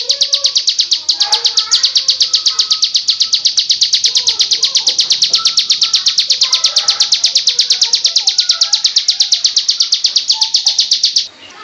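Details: Bar-winged prinia singing for songbird training: a long, unbroken series of sharp, high, rapidly repeated chip notes, nearly three each second, over quieter lower warbling chirps, ending abruptly near the close.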